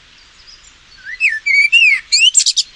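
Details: Common blackbird, UK, one slow-tempo song phrase: low fluty whistles rising and falling, ending in appended squeaky twittering; verses are separated by three-to-five-second pauses.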